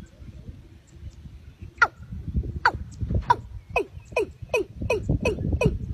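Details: Watercock giving a calling series of downward-sweeping notes. The notes start spaced out, then speed up into a rapid, closely spaced run, with low rumbling noise underneath.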